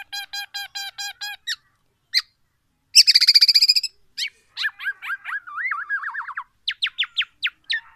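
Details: Singing black-naped oriole with full oriental magpie-robin fill-in, used to challenge other orioles; evenly spaced harmonic chips, a dense buzzy burst, then looping whistled warbles and crisp high notes, no background noise.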